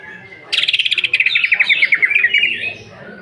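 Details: Cucak ijo, greater green leafbird, singing 'nembak' with rough fill-ins to stir emotion: a sudden loud, buzzy rattle of rapid clicks that merges into a fast trilling series of sliding whistles, fading out after about two seconds.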